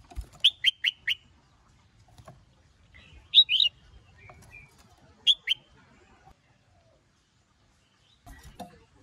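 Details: Red-whiskered bulbul song, with a female stirring a male into heated 'sổ bọng' and 'ché' singing. Four rapid sharp whistles open the clip, followed by a rising slurred pair and another double note, with long quiet gaps between.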